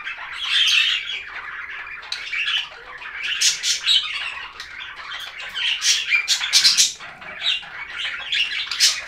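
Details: Chattering budgies, their warbling chirps and buzzy squawks overlapping continuously, with sharp high tweets rising above the stream at irregular intervals.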